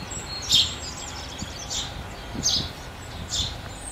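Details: Four softer chirps from house sparrows taking food at New Year 2022, fairly spaced, with low knocking sounds and a hiss underneath.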